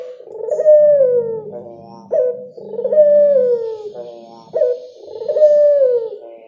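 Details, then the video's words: Spotted dove singing: a repeated phrase of a brief rising note, then a long, smooth cooing tone falling slowly, about every two seconds, three phrases heard, faint low hum beneath. "Suara Burung Derkuku Yang Enak Dan Nyaman didengar Burung Tekukur Bernyanyi"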